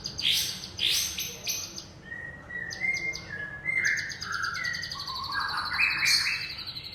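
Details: Varied song of a young forest-caught white-rumped shama. Bright high notes and short bursts are mixed with clear whistled phrases, some rising and some steady, in a lively, changing sequence over faint background hiss.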